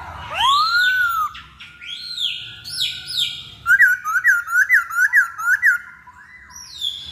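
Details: Masked laughingthrush lure song: a long rising whistle, several arched notes, then a run of six quick, evenly spaced looping notes, ending with a short rising phrase.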